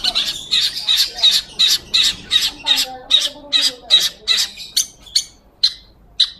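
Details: A long-tailed shrike sings energetically in gacor style, clear enough to serve as master audio for training magpie-robins: a steady run of rasping, squawky notes about three per second, over faint low warbling in the background.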